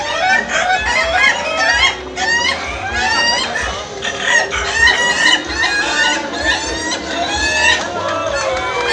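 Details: Indonesian laughing chicken roosters in a contest final crow in long strings of fast, staccato, giggling notes with rising and falling inflections. Several birds call together over background human voices.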